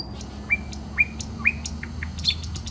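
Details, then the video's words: Nightingale singing in a park on the Smolenka in Saint Petersburg: sharp, slightly rising whistled notes about every half second, interspersed with quick dry clicks, over a low hum of background noise. "Песня соловья"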